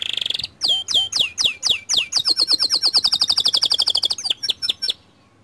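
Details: A white canary sings a prompting song meant to spur other canaries into song. After a shrill opening, it repeats swooping notes, followed by a long rapid rattling trill that speeds up before it stops abruptly.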